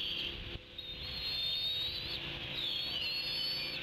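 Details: Young wild bald eagle at the Decorah N2B nest squeeing while hopping and flapping after failing to steal a fish from its sibling: thin, high, drawn-out whistled squeals that waver and slide slightly, in long continuous bouts with soft background hiss.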